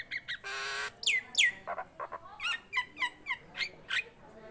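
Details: Tame Nias hill myna in lively voice: a harsh buzzy rasp, then steep downward-swept whistles and a string of short rising chirps repeated about every third of a second.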